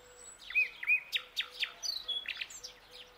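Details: Young common nightingale singing at dawn: a quick run of varied whistles, slurred rising and falling notes and sharp clicking strokes, with a faint low steady tone in the background.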